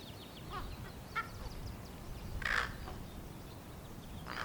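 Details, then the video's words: Impatient baby common raven, fledged 15 May 2022, waiting with its siblings for parents to bring food, gives scattered harsh croaking rasps, the loudest midway, over steady low-pitched background noise. "Baby ravens making noises"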